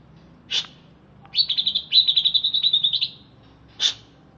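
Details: Greater green leafbird originating from Alas Purwo forest, Banyuwangi, caged and freshly bathed, gives a sharp chip, then a fast, level, rattling trill lasting nearly two seconds, then another sharp chip.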